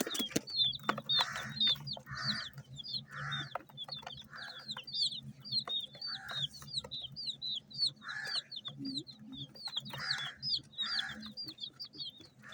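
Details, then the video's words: Flock of multi-coloured domestic chicks feeding, their high, sharp, downslurred peeps repeated almost nonstop throughout, mixed with recurring lower harsh bursts, pecking clicks and a faint low rumble. "MURGI HEN CHICKS CHIRPING SOUNDS!!!"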